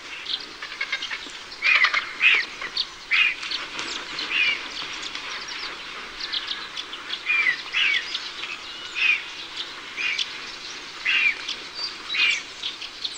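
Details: Iberian griffon vultures (Gyps fulvus) giving harsh, hissing cackles in short bursts every second or two.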